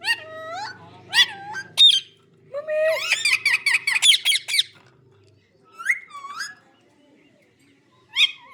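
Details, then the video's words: A green parrot mimics speech in a run of short, harsh, nasal syllables. The syllables bunch into a fast burst of about a dozen clipped sounds in the middle. Scattered single squawky notes come before and after, in a quiet indoor setting. "Green parrot talking"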